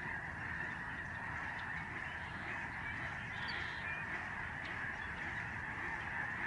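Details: Lesser Snow Geese in a vast flock overhead at the George C. Reifel Migratory Bird Sanctuary, Canada, November 2011. A dense, unbroken wall of high honking merges into a continuous roar of overlapping voices.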